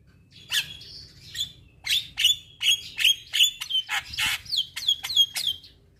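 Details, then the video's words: Javan myna song, meant for daily morning and evening playback to stressed birds that have stopped singing. A quick train of grating, rasping notes, each ending in a short clear whistle, delivered almost three per second. "Terapi Burung Jalak Stres Macet Bunyi Rutin Putarkan Setiap Pagi Dan Sore"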